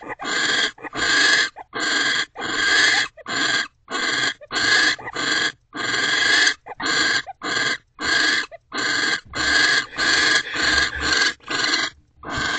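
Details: Mating owls in a nest box, 20 January 2024, afternoon: a long run of raspy, hissing screech bursts, roughly one or two per second at an uneven pace, with a few shorter clipped calls.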